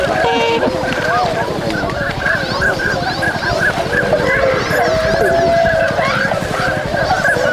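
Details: Flock of swans stirring after waking at Inzai, Chiba, in January 2022, calling constantly in a busy mix of nasal honks and trumpeting notes that overlap without pause.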